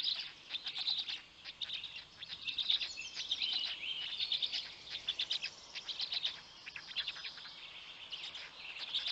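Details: Nestling Black storks in Poland's Notecka Forest, 19 May 2020 at 6:09 am, as a parent feeds them; thin, piercing chirps come in quick irregular runs, with a few short rising squeals among the steady chatter.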